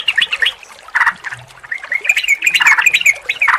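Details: Yellow-vented Bulbul vocalizing, meant to stimulate a non-singing caged bird: irregular harsh chirps and squawky bursts mixed with short bright whistled notes.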